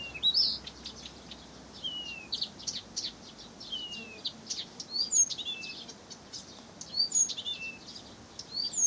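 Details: Blyth's reed warbler song recorded in Pavlodar, a rapid run of sharp high chips and buzzy notes mixed with clear downward-sliding whistles, delivered continuously with louder accented phrases near the start and end.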